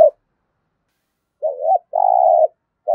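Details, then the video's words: Lure spotted dove cooing in thúc gù style to attract wild doves; one phrase of a short wavering hoot followed by a sustained even coo, with clipped fragments of further coos at either end. "cu gáy thúc gù giọng hay, chim cu mồi thục giọng hay hạp bổi"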